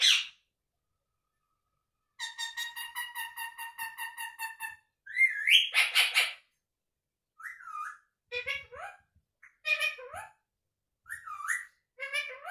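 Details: Indian ringneck parakeet, a pet, talking and making sounds non-stop: a fast string of buzzy repeated notes, then varied whistled phrases, some swooping up and down, spaced by short pauses.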